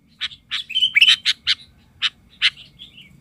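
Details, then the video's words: Lure sooty-headed bulbul raging at wild birds of its kind, giving a quick run of sharp chirps and a short bubbly warble in the middle, then a few spaced notes trailing off, over faint low background rumble. "ketika pikat burung kutilang ngamuk...kutilang liar cuma bisa melongo"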